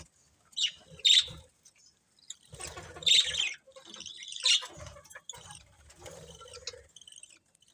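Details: Colourful budgerigars give sparse chirps: a few loud, bright twitter bursts roughly every one to two seconds, with quiet gaps and faint low rustling between.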